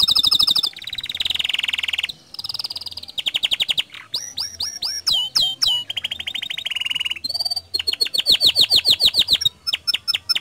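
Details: Canary in full song as a lure for other canaries, loud rolling trills, fast swooping notes and high whistled phrases that change every second or two.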